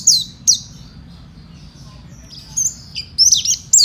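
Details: Oriental white-eye, fighter type, kept as a songbird in Indonesia, gives two sharp high chirps, a soft thin whistle, then a closing burst of shrill twittering.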